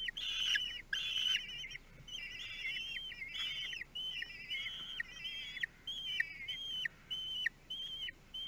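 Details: Common kestrel at the nest in Théding, France, recorded 9 June 2022 by a nest camera; a run of thin, whistled, squealing notes with level pitch and abrupt drops, repeated roughly twice a second.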